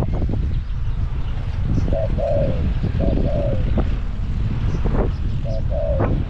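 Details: Decoy spotted dove in a cage at Song Phi Nong, Thailand, calling to attract wild doves: three repeated coo phrases, each a brief note and a longer slurred coo, under constant low engine-like rumble.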